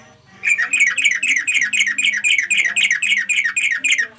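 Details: Sooty-headed bulbul calling to companions in a rapid, buzzy chatter. Rolling notes repeat about four times per second with little pause, after a brief quiet start.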